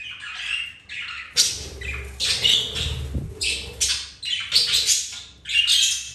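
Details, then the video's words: Budgerigars as pets, mating, flirting and playing, give repeated bursts of scratchy warbling and sharp chirps, with a faint low rumble underneath. "Budgies mating , flirting and playing"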